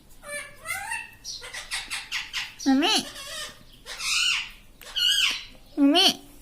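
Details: Talking pet parrot, associated with "mitthu" and "mummy", mixing rapid soft chattering syllables with louder hooked, harmonic squawks spaced about a second apart.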